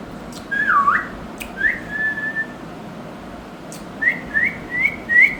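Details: Pair of pet Indian ringneck parakeets; clear whistled notes, one dipping and rising, then short upslurred whistles in quick bursts with pauses, over a steady indoor hum.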